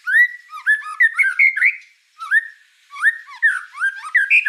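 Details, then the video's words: White-rumped shama in energetic gacor song pours out varied warbled phrases of slurred whistles and chips, stops for a moment, then resumes with another rich, twisting phrase. "Suara kicau burung murai batu gacor"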